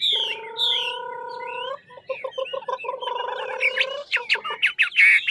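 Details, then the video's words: Chinese hwamei from Lạng Sơn, Vietnam: long low buzzy pulsed notes and short whistled fragments, then a burst of sharp clicks and loud rising whistles at the end. "Mi ngũ trường to đẹp hót dẻo"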